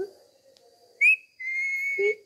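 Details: Talking pet parrot enjoying a head massage, giving a short rising whistle, then a long steady whistle, then a brief nasal call, with faint low sounds before them.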